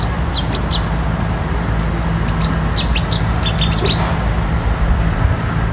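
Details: A Cetti's warbler at the London Wetland Centre, Barnes, gives soft, scattered high chirps in three brief bursts, a subsong-like call quieter than its explosive song, over a steady low rumble of distant traffic.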